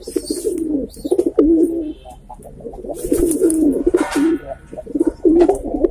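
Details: Pigeons in Jamner, Jalgaon, Maharashtra, several birds giving low, rolling, throaty coos that overlap almost continuously, with knocking and clattering noises in the background.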